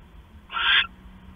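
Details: Owl recorded at night on 6 September 2015 as the male delivers a mouse to the female; a single rasping, breathy screech lasting about a third of a second against low background hum.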